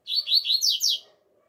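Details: Double-collared seedeater singing outdoors in the open air, a song style called alegria tuí tuí zeo zeo: a quick run of five bright, slurred whistled notes, each sweeping downward, lasting about one second, with a faint low hum behind.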